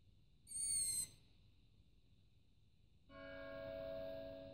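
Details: A long-eared owl chick sitting on a roof at night, around 23:30, gives one high, squeaky, slightly falling begging call for food, like a creaking gate. A steady, low, bell-like tone follows as a clock strikes the half hour.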